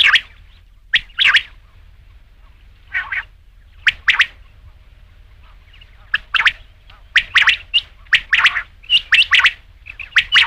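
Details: Rain quail repeating harsh two-note calls, sparse at first, then quickening into closely packed doublets and triplets toward the end.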